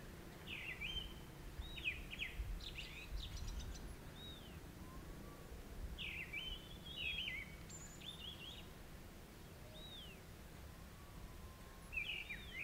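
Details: Grey-winged Blackbird heard during the summer monsoon in western Himalayan forest, Jabbarkhet, India: clear whistled phrases of varied, looping notes, delivered in bursts roughly every three to four seconds, over steady low-frequency background noise.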